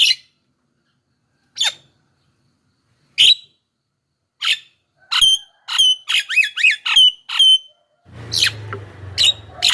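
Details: Javan myna lure sound for wild birds: scattered harsh notes build into a fast series of squeaky, whistled, partly up-and-down phrases, followed by noisy low rumble with a few more notes.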